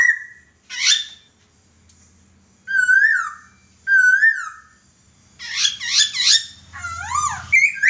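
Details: Laughingthrush singing a master song used for training birds: clear whistled notes, sliding and downswept phrases, then a rapid burst of bright harmonic-rich notes with brief pauses between phrases.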